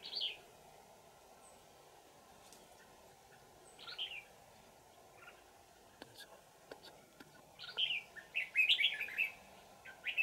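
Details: Decoy trapping of a wild old red-whiskered bulbul on 20 December 2018: scattered single whistled notes at first, then a loud run of warbling, slurred whistles near the end.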